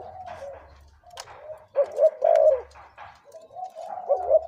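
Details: Decoy spotted dove, 2–3 years old, in a soft, hollow cooing sequence: a stronger burst mid-way and a rising coo at the end, with faint clicks between.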